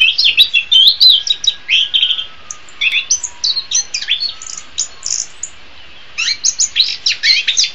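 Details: Anis kembang, the orange-headed thrush, delivers dense chattering bursts of sharp high chips and trills, a pause near the middle, then a fresh rush of jumbled high notes to the end.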